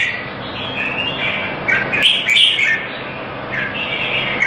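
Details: Red-whiskered bulbul in a Singapore singing contest, sweet whistled notes rising to a bright burst in the middle, then softer warbles, over broad background noise.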